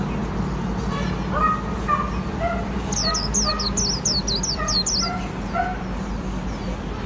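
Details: Japanese white-eye singing in the Vietnamese khuyên líu style, kept by Vietnamese bird keepers: a quick run of about eight high, sharply falling whistled notes midway, over steady low background hum and fainter lower chirps.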